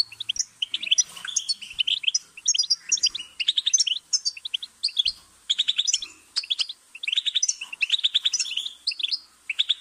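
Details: Continuous goldfinch song: bursts of fast tinkling notes and dry buzzy trills repeated every second or so, high and bright, with occasional short pauses and little background noise.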